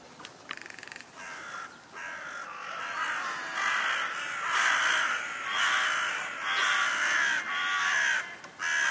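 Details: Thirsty crows calling: harsh, drawn-out, rasping caws follow one another almost without pause, each lasting about a second, over steady background noise.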